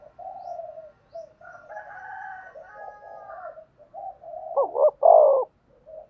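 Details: Spotted dove calling for decoy-bird training: a long run of soft wavering coos with a faint higher overlapping voice, ending in one loud double-note phrase with a descending coo.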